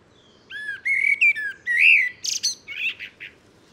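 A common blackbird sings a mellow, fluted warble of several rich notes, then ends in a high, squeaky twitter.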